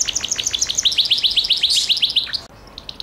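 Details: Gloster canary giving a steady run of quick bright chirps, about seven per second, rising slightly in strength before stopping abruptly.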